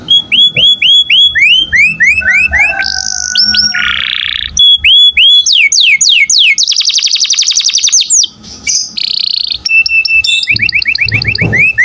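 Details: Canary singing in a lively, chatty 'gacor' style, meant as a training recording for other songbirds: rapid rising whistled sweeps repeated in runs, buzzy trills, a long steady whistle and dense rattling bursts, varied phrases in quick succession.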